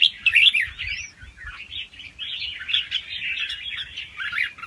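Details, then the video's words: Young wild red-whiskered bulbul in fast-round song with doubled phrases, used to excite listening birds; warbled notes open loud, then soften into a steady busy chatter. "ลูกนกกรงหัวจุกป่าคัดหัวปากเบาๆ รอบเร็ว มีลักเบิ้ล ใว้เปิดกระตุ้นนกฟังนกคึก"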